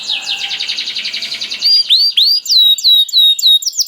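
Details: Canary singing as bait for other canaries: a blurred rapid warble first, then clear arched whistles repeated about every quarter second, high and sweet.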